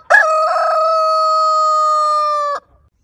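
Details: One heritage-breed rooster crowing a single clean, sustained note of about two and a half seconds, starting with a short upward flick and ending abruptly, with silence after.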